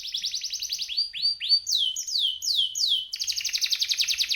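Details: Male champion canary in full song: fast high trills, then sweeping down-slurred notes repeated about every third of a second, ending in a rapid buzzy rattle; clean recording.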